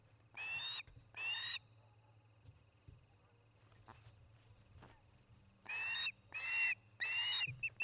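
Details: Osprey at a nest in Charlo, Montana, on an August 2018 evening: short bursts of harsh, high chirping calls in two groups separated by a quiet gap, with soft knocks and a low background hum.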